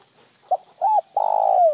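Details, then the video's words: Spotted dove calling in the cooing style locally called một hậu lỡ or trơn: a short low note, a slightly longer arched note, then a long, steady, burry coo sliding down at the end. The background is quiet. "Tiếng chim cu gáy gọi một hậu lỡ , lúc một hậu lúc trơn"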